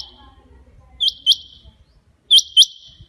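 A rain quail gives sharp, high, metallic double notes, 'whit-whit', with each pair about a second and a half apart, over a faint low background rumble.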